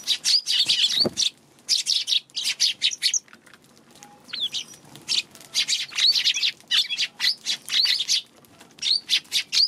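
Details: Eurasian tree sparrows recorded on March 2: a lively run of short, bright chirps in quick bursts, some overlapping as if several birds call together, with brief pauses between clusters and a faint low thump early on.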